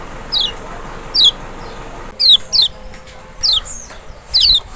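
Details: A lemon-bellied white-eye (Zosterops chloris maxi, Lombok or Sumbawa), sound used to prompt a quiet bird to answer: about seven bright falling whistles, spaced irregularly, the later ones louder.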